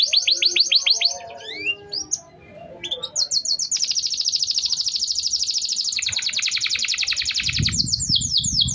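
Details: Canary (kenari) song meant to coax silent canaries to sing: varied rising whistles and chirps, then a long rapid high trill, shifting pitch partway, with some low noise near the end.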